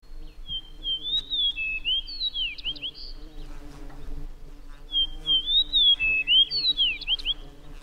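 Fox Sparrow giving two rich, jumbled songs of sweet slurred whistles, each about two and a half seconds, rising and falling; faint low hum beneath.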